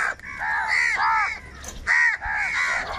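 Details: Crows in a huge flock, fighting for food, give loud, grating caws in quick pairs, the calls nasal and drawn slightly downward.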